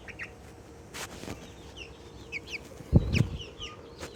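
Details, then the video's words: Little Australorp chicken, excited and content, giving a few high, sliding peeps in a loose series; a loud low thump and a rustle break in midway over a constant background hum. "Excited little Australorp makes happy sounds"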